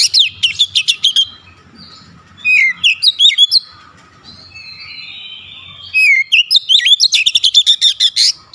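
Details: Oriental magpie-robin giving a 'shooting' song that shows off its learned repertoire: fast bursts of loud, sharp whistled notes sweeping down, repeated in rapid strings, with a quieter warbling pause in the middle.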